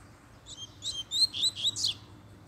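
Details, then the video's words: A double-collared seedeater, stirred up by a female coming into view, delivers a short run of quick, sharp, high chirps that rise in intensity over about two seconds. "PUXADA DE COLEIRO 3 - A FÊMEA APARECEU O COLEIRO ENDOIDOU!!!"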